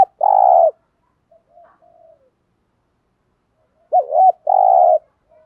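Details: Spotted dove calls of the urging coo type, used as a lure to provoke wild males. Long, steady, buzzy mid-pitched coos with a double dipping hoot before the second, and soft faint coos in between.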